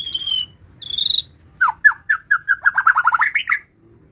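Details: White-rumped shama song opening with a held high whistle and a bright buzzy burst, then a fast run of about a dozen short, clipped whistled notes that speed up.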